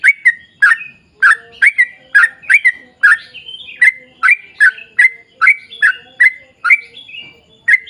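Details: Long continuous 'ropel' singing from a yellow-vented bulbul meant to set other bulbuls singing. Quick chirping notes tumble out, sometimes in close pairs, with brief gaps and a faint droning tone underneath.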